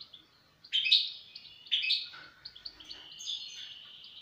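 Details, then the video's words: European goldfinch song: two loud bursts of bright twittering near the start, then softer tinkling trills and chirps continuing in the background. "استمتع مع طائر الحسون"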